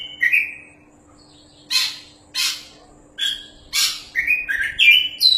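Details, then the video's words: Oriental magpie-robin in full song: clear high whistled notes alternating with harsh rasping bursts, then a quick tumbling series of twittered phrases. "BURUNG KACER JUARA GACORRR"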